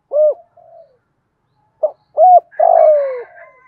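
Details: Decoy spotted dove with a 'thổ' style voice, cooing to lure wild doves: short, low, rounded coo notes separated by pauses, ending in a longer drawn-out note that slides gently downward.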